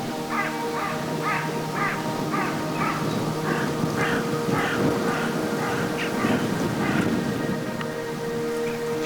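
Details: Carrion crows heard from a sunny woodland path beside fields near Harrock Hill give harsh, rasping caws in quick runs, about two a second, over a steady droning tone and soft background noise.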